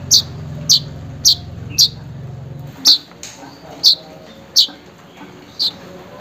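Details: Weaver calling to a rival or mate, used to coax a silent bird into singing: eight short, piercing, high chips at uneven intervals over a low hum that fades midway.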